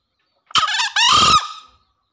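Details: Green junglefowl lure call used to prompt newly caught or quiet green junglefowl to call: a harsh, hoarse two-part crow, a short rasping note then a longer strained one that fades away, with no other sounds.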